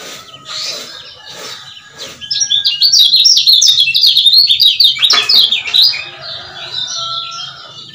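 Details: Lemon-bellied white-eye, a Lombok male used as a trigger for caged males. Soft clicks give way to a bright, high, twittering run of quick rising-and-falling notes for about three seconds, then quieter chirps over a faint low hum.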